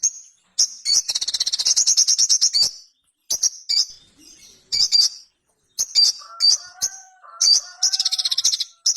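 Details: Ruby-cheeked sunbird (sogon) giving very high chips and a fast pulsing trill, then clipped notes mixed with lower warbled whistles toward the end.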